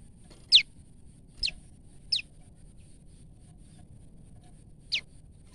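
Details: Female olive-backed tailorbird calling in fear: four loud, piercing chips, each sweeping sharply downward, the first three close together and the last after a pause of nearly three seconds, over faint low rumble.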